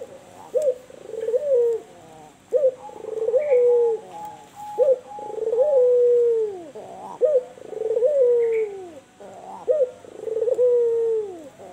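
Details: Persistent cooing by an albino turtle dove (puter) with white plumage, in kuwor bekur style. Five regular phrases pair a brief accented note with a long mellow coo that sags in pitch at the end, with short gaps between.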